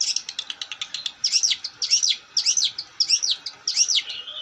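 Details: Long-tailed shrike singing vigorously: a rapid rattle of high ticks gives way to repeated harsh, looping buzzy phrases about one per second.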